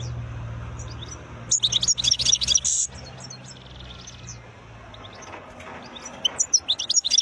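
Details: Wild European goldfinch in lively song: dense, tinkling twitters and buzzy notes in a burst of over a second, a pause, then another quick run, with a low steady hum underneath.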